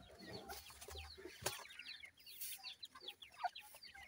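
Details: Grey francolin chicks peep continuously while feeding and playing. The calls are thin, high and quickly falling, overlapping in a twittering mass, with one sharp tap early on.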